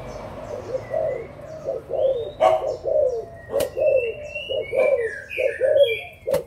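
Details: Rolling low coos from adult Malaysian and Thai spotted doves on 16 March 2022, roughly one a second. Sharp clicks and high whistling chirps from other birds are also present.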